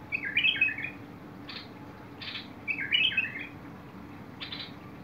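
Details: Bulbul singing on 21 August 2022: two matching bubbly warbled phrases about three seconds apart, each followed by a harsh buzzy note, with low steady hum behind.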